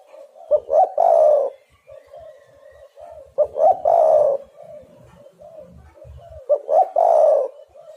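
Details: Repeated lure call of a spotted dove for trapping: three matching phrases about three seconds apart, each short stuttering notes followed by a loud, rough, falling coo, with faint cooing between them.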